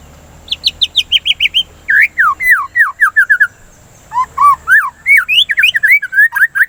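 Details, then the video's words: White-rumped shama song used to stimulate singing: quick repeated whistled notes, first a high series then descending slurred whistles, a pause, then varied rising and falling whistles, loud and clear. "Pancingan Suara Burung dan terapi murai batu"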